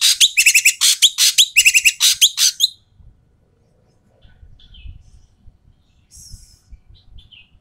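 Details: Noisy Asian pied starling giving loud, harsh calls, used to prompt quiet starlings into singing; a fast burst of rasping, broad chattering notes for under three seconds, then near silence with a few faint high chirps.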